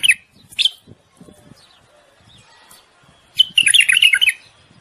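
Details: Common bulbul in breeding song aimed at stimulating the female: two short sharp notes open, then after a pause a rapid, chattering, warbled phrase of about a second.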